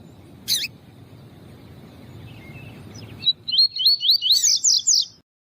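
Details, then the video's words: Double-collared seedeater (coleiro tui tui) song, used to teach and warm up other birds. After a single sharp chip it gives a quick run of high, bright twittering notes that swoop up and down, over a low murmur. "COLEIRO TUI TUI PERFEITO PARA ENSINAR PAPA CAPIM E COLEIRO PAARDO ESQUENTAR COLEIRO TUI TUI"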